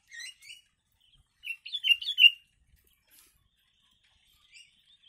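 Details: Yellow-vented bulbul singing a song filled with imitated sooty-headed bulbul (kutilang) phrases, used as tutor song for training birds; short bright warbled bursts, a quick pair of chirps, then a louder run of tumbling liquid notes, with faint chirps afterwards.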